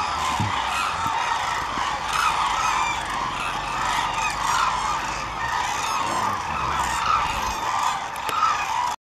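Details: Hooded cranes calling at the crane observation centre in Izumi, Kagoshima, Japan, on 7 March 2018: a dense, unbroken chorus of many honking, trumpeting calls blending into a steady roar from a large flock.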